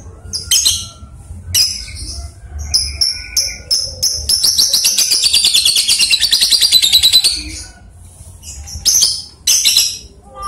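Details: Lovebird on a farm making a long ngekek trill, played as a training recording for other lovebirds: scattered sharp high chirps, then a rapid, buzzy, evenly pulsed high trill lasting about four seconds, followed by more short chirps.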